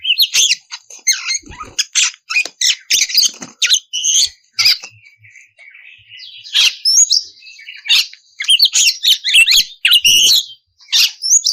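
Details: Oriental magpie-robin song meant to provoke other magpie-robins to sing: fast varied chirps, sweeping whistles and harsh buzzy notes in long rapid runs, with a quieter stretch in the middle before the bursts resume.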